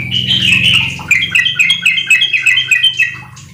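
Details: Yellow-vented bulbul in full song, played as a lure to prompt raw kept birds into riwik and ropel singing: a steady string of bright, bubbling chirps over a low background hum.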